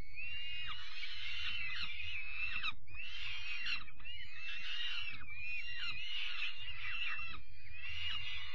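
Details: Young peregrine falcons fed dinner on 5 May 2021; rough, wheezy screeching in close repeated bursts about every second, with low background hum and soft knocking.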